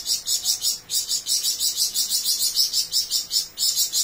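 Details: Flamboyan bird singing actively in long rapid bursts: a steady run of high, buzzy, chattering notes repeated about four times a second, with one brief gap, all very high-pitched over a quiet background.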